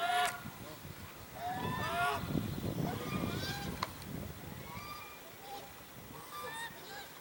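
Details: African geese at Jordan Valley on January 19, 2021, giving scattered, fairly quiet nasal honks over low rumbling background noise, with a few clearer calls near the end.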